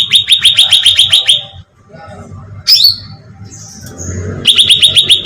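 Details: Cucak ranting bulbul, used as a bait sound to draw in birds: a fast run of bright, identical chirps, then a sharp downward-slurred note, a pause and a second rapid chirp run.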